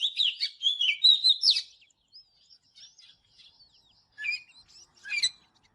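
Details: Oriental magpie-robin singing in the morning, for training: an opening flurry of rich whistled slurs, then soft scattered notes and two later sharp bursts of chips.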